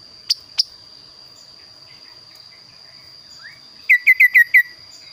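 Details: Kaso-kaso bird with its varied, unusual song: two sharp clicks, a soft rising note, then a fast burst of five loud, short whistled notes of equal pitch, over a steady high whine.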